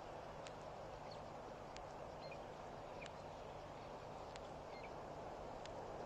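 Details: A Blacksmith Lapwing at Pete's Pond, a waterhole on Mashatu Game Reserve, Botswana, around 2:04 PM, gives sharp metallic tink notes like a hammer on an anvil, about every 1.5 seconds, partly masked by steady broadband noise.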